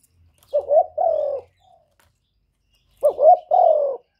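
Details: Spotted dove in 'thổ thúc' style calling to goad wild rivals: two clear phrases, each a wavering rising hoot followed by a long, slowly falling mellow coo, separated by silence.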